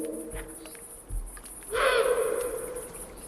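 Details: Female Eurasian eagle-owl at night at Portilla del Tiétar, Monfragüe, between two huge rocky cliffs above a reservoir, gives a single harsh, almost barking call lasting over a second that echoes off the rock walls; faint low tones come before it.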